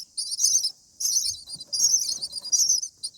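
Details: Common myna babies begging in the nest during feeding, day 7: four harsh, hissy high bursts, each under a second long, evenly spaced with short silences.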